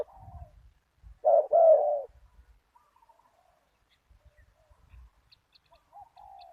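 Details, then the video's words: Spotted dove in a Thai cooing contest, deep-voiced with a single 'kuk' style; one strong rolling coo phrase stands out among fainter distant coos, with low thumping and handling noises underneath. "ต่อนกเขาใหญ่ ตามตัวหมาย เสียงใหญ่ 1 กุก"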